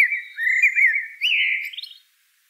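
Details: A single flowing phrase from a common blackbird, smooth fluted warbling that wavers up and down and ends in a short high twitter, then silence.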